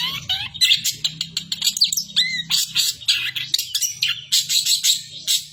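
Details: Varied long-tailed shrike song imitating the kapas tembak: bright whistled notes, downward and upward slurs and scratchy chirps tumble out rapidly, with a soft low hum underneath.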